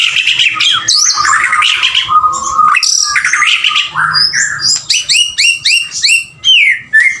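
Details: Male white-rumped shama singing a rich, varied song: buzzy and whistled phrases, then a fast run of sharp, down-slurred whistled notes repeated several times a second, with no other sounds.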